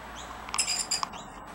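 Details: One of three rainbow lorikeets eating bread crumbs on the ground gives a brief burst of high, shrill chirps with a harsh, buzzy edge, lasting under a second, over faint background hiss.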